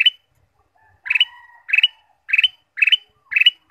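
Ruby-throated bulbul giving bright, chirpy bursts of three or four quick notes, repeated about every half second; no other sounds.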